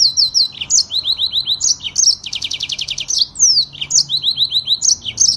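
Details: Yellow-fronted canary in full rolling song: quick series of falling whistled notes, a long dense rattling trill in the middle, then more bright slurred phrases.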